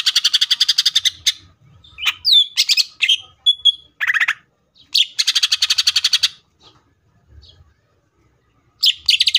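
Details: Cucak ijo (green leafbird) singing a full tembakan style song: loud bursts of fast, rattling repeated notes high in pitch, mixed with sharp whistled slurs and short chirps, separated by brief pauses; faint low rumbles in the background.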